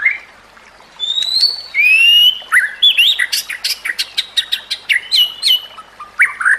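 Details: White-rumped shama (murai batu) song used as masteran for training other shamas: clear whistles and rising slurs, then a fast run of sharp chips and varied notes, loud and bright.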